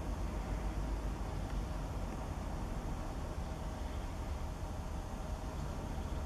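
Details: Constant low rumble of traffic or engines with broadband hiss throughout, and no bird or other animal sound audible.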